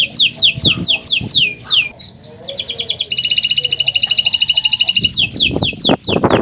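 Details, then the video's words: Canary song used as a master to trigger singing in silent canaries: repeated falling whistled sweeps, a short buzzy phrase, then a rapid rolling trill, with low thumps underneath. "Masteran Burung Kenari untuk Pancingan Burung Macet Bunyi"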